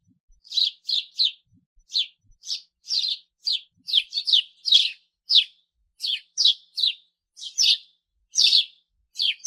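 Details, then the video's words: Constant, vibrant chirrup of a sparrow, short high notes coming in irregular pairs and singles through the whole stretch, bright and emphatic, with a silent background. "SOM DE PARDAL"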